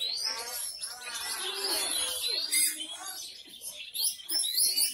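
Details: A captive contest Oriental magpie-robin (kacer), just out of moult after three months' rest, sings a rapid, varied run of high whistles and scratchy phrases at about four notes a second, with other birds and faint voices overlapping.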